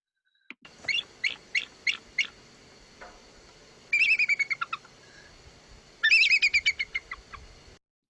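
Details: Bald Eagle (Haliaeetus leucocephalus) giving thin, high chirps, then two quick bursts of rapid, stuttering, slightly falling notes that sound like a giggling laugh, a trilling call used to communicate.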